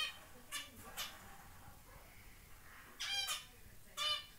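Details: A zebra finch chick on its first day out of the nest gives short, nasal, harmonic-rich calls in scattered pairs and bursts.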